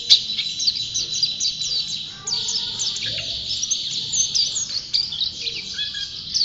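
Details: Champion white-eye in full, persistent song, pouring out rapid high-pitched chirps and sharp little trills in a continuous, slightly scratchy flow.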